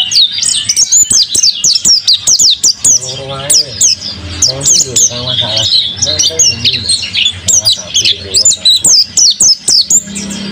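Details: Kept mountain white-eye singing actively: rapid, dense run of high, thin whistled and chirping notes, many short sweeping phrases packed together with brief pauses, over faint low music and voices in the background.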